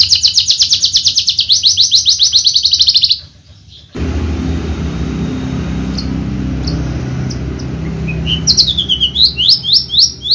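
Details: Caged Javan Horsfield's bushlark sings a fast pulsed high trill for three seconds, goes silent, offers faint scattered chirps, then returns with loud upslurred whistled notes in quick series.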